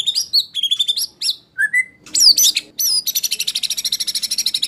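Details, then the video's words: Competition training master recording of a white-rumped shama in harsh 'tembakan kasar' style: varied clipped high whistles and squeaky slurs, then a steady rapid rattle of shrill repeated notes to the end. "MASTERAN MURAI BATU TEMBAKAN KASAR~SHAMA BIRD SINGING MP3"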